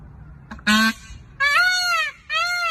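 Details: An Indian peafowl (Pavo cristatus) peacock gives three loud, nasal, trumpeting wails about a second apart: a short one, then two longer, slightly arched cries.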